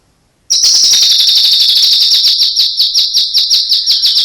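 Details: Caged white-rumped shama song with imitations of other birds: a loud, steady, fast-pulsing high trill begins abruptly and continues without break, pulses about three per second.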